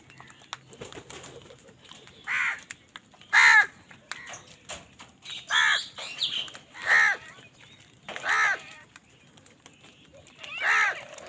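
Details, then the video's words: Crows fighting for food, giving loud harsh caws, a series of about six spaced one to two seconds apart, some hoarser and broken, over faint background clicks and rustling. "কাকের ডাক Crow Sound Crow ki Awaz Loudly | Crow bird Fight for Food"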